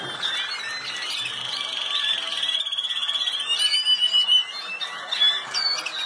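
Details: Malinois canary competing in the 2019 world championship in the Netherlands; a long, steady rolling trill held on one pitch, then breaking into pulsing, bubbling bursts and short whistled notes.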